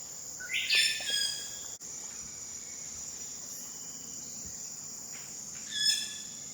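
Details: A Wilson's bird-of-paradise calls in West Papua between late July and mid-August: a harsh, rasping note near the start and a shorter similar note near the end, against a continuous shrill insect whine.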